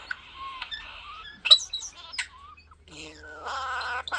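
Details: Pet European Starling kept at home, whistling: a steady high whistled tone, a lower sliding whistle, sharp clicks and a wavering harmonic warble near the end.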